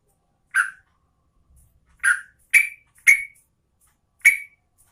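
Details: A female sooty-headed bulbul (trucukan Garuda) calls for a male in five abrupt, harsh chirps, the middle three quickly grouped, each one sharp-edged and briefly ringing, against a silent background.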